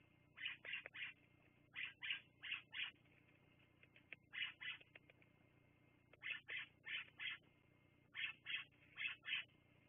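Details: Wild bald eagle at the Fraser Point nest, recorded by a live nest camera on 10/02/2022 at 16:59, giving thin high chirping notes in quick bursts of three or four, the bursts repeated every second or two.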